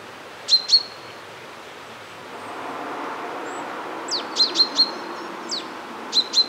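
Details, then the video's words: Common chaffinch uttering sharp, high, clipped calls in pairs and short runs, several notes in quick succession, while a low distant rumble rises in the background. Recorded on a Zoom F1 with a Sennheiser MKE 600 microphone. "Common Chaffinch - song/call - Buchfink"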